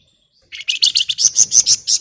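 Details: Flamboyan, a female calling a male, producing a rapid run of bright, high chattering notes that grow louder and more ringing, about ten notes in under two seconds.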